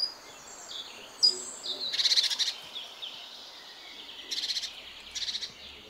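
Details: Great tit at a feeder on an office window, where it comes to eat walnuts, hazelnuts and seeds: faint thin whistles, then three bursts of dry, buzzy, rasping notes, each about half a second long.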